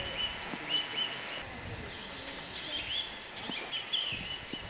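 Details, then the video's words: Eurasian nuthatches displaying beside a tree hole in early spring, as snow melts in the forest, give short, clear upslurred whistles, some in quick pairs and others spaced out, over a steady hiss. "Біля дупла токують повзики."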